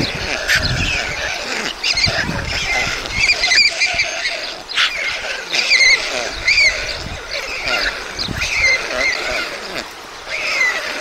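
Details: At a Czech white stork nest in Mladé Buky, 20 June 2022, as two chicks are fed; thin, high squeaky calls with wavering notes repeat irregularly through the passage, over a hissing background.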